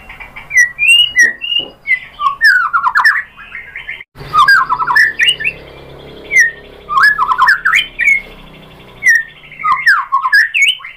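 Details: Lure recording of a white-rumped shama (murai batu), used to make other shamas answer and sing, with rich varied song: bright whistled slurs and twisting rapid phrases in bursts, broken by a brief pause midway, over a low background hum.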